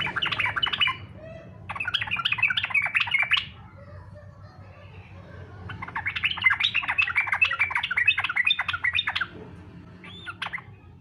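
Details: Fighter-style yellow-vented bulbul song, offered as a lure so other bulbuls will sing: two long chattering bursts of rapid warbled notes several seconds apart, with a short final phrase.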